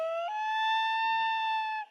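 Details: Common Loon wail, given within pairs, often from the nest to recall a partner out fishing: a long, mournful pure tone that steps up after a quarter second, then holds steady and slightly rising for nearly two seconds.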